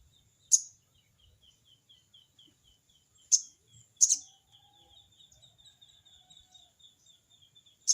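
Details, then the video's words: Sogon bird calling a rival, crecet cerecet style: four sharp, very high, clipped chip bursts spaced irregularly across eight seconds, two nearly back to back, with a continuous rhythmic insect trill beneath. "burung sogon bunyi crecet cerecet!!sogon manggil lawan!!"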